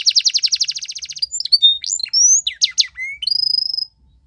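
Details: Belgian canary training song opening with a long fast trill of repeated notes, then rising whistles, sharp chirps and a closing rapid rattle over a steady high tone.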